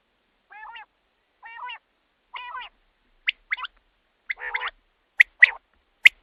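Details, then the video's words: Common quail call used at night to draw quail for hunting. Several soft, low, harmonic growling notes come first, then sharp clipped notes in pairs and triplets. The background is quiet. "batair ki awaz raat k liye | quail calling | رات کے لیے بہت ہی اچھی آواز"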